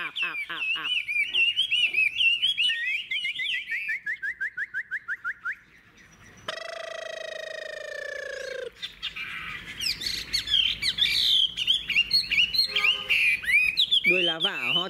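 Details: Caged old wild-caught Chinese hwamei pouring out varied whistled song, first a long series of looping repeated notes, then a steady droning tone, then dense warbling, chattering and whistled flourishes.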